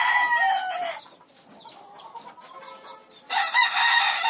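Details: Domestic farm chicken with a loud rasping crow tailing off, quiet clucking and short chirpy notes in between, then another strong crow.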